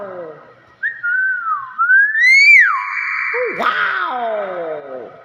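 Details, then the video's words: Common hill myna whistling sliding tones that dip, climb steeply and fall, ending in a rough descending buzz while people cheer and urge it on. "BEO SUARA ASLI VIRAL"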